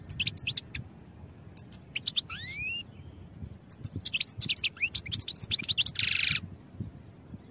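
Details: European goldfinch song for training birds: fast tinkling twitters and chips, a rising slurred whistle, more rapid liquid notes, and a short buzzy rasp near the end.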